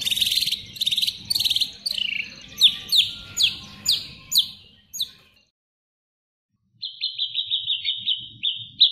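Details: White-rumped shama mimicry song for tutoring other birds: a series of harsh, chattering high notes, then a silent gap, then a thin, buzzy, rapidly pulsed high trill.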